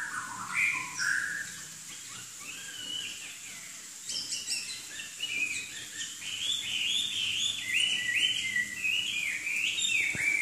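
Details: Chinese hwamei, a songbird from southern China, singing a lively run of loud whistled phrases, many with sliding and rising notes, coming quicker and denser toward the end over a steady faint background hum.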